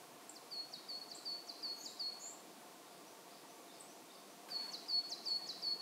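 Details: Pallas's rosefinch (Carpodacus roseus) at a feeding station in Saitama Prefectural Forest, Japan, in March, where flocks visit, giving two quick runs of thin, high, flicking call notes, about three per second, over a steady background hiss.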